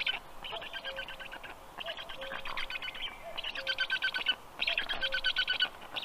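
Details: Black stork nestlings at a university in Tartu, Estonia, calling during their 10 a.m. breakfast on 16 June 2022; loud rasping pulsed bursts roughly every second, growing stronger toward the end, with quiet background hiss.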